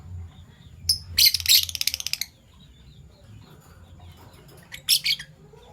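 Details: Fischer's lovebirds, a PB Violet and a Euwing Gold Opaline, in the morning: a burst of harsh, shrill chirps, then a rapid rattling chatter of about a dozen pulses, a pause, and another short shrill outburst near the end, over a faint low background hum.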